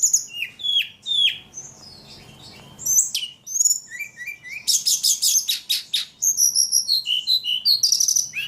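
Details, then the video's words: Energetic ledekan singing: sharp downslurred notes and chips, a quieter pause, then loud rattling trills and rapid repeated high phrases to the end. "Burung ledekan paling gacor"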